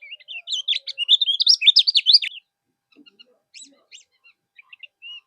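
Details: Kecial kuning (yellow-bellied warbler) in moult, singing as tutor material to provoke rivals into answering. A loud fast run of high, looping, slurred whistles fills two seconds, followed by faint scattered chips.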